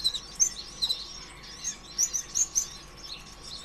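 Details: Sunbird known as kolibri ninja giving an energetic lure song for stimulating other birds; sharp, very high piercing notes and twittering phrases repeated in irregular clusters, with low steady hum behind.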